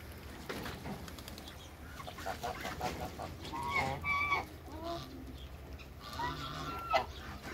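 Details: African and Toulouse geese with their hybrid offspring in a backyard, giving several short nasal honks and harsh calls in the second half, amid background farmyard noise.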